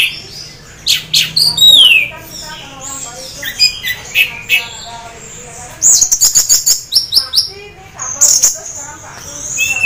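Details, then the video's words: Orange-headed thrush, caged, half in breeding condition, singing a varied song of rich whistles, sweeping downslurs and buzzy high chatters in bursts, used to lure other orange-headed thrushes into singing; faint low hum underneath. "anis merah teler setengah birahi bagus untuk pancing anis lain agar ikut bunyi"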